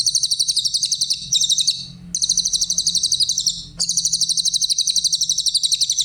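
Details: Clear, high-pitched song of a grey-headed canary-flycatcher, recorded as tutor material to teach other songbirds: long bursts of rapid, sparkling repeated notes in dense trills, broken by two short pauses, with faint low hum beneath.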